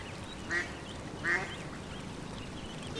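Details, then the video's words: Duckling in the pond uttering short nasal quacks, two close together near the start and another at the end, with steady low background noise between. "Duck Sound duckling in the pond -duck quack"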